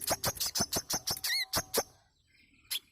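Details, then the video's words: Lure song of a manggar bird, meant to prompt caged birds to sing: a fast run of about ten sharp, loud clicking notes with one wavering whistled trill, then near silence and a single final note. "Pancingan Bunyi Burung Manggar Gacor"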